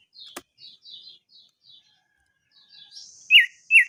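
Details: Crested darkeye lure recording for long rolling song: thin, soft high notes in a loose series, ending in two loud, clear whistled notes.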